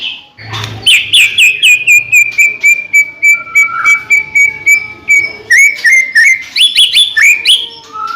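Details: White-rumped shama singing to prompt other shamas: a sustained steady whistle overlaid with regularly pulsed high notes, then a burst of varied rising and falling whistled phrases.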